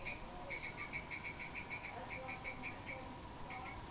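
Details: Wild bird recorded in Cambodia on 6 April 2020; a quiet, rapid series of short, clipped nasal notes, about four a second, pausing briefly near the end, over a steady background hiss.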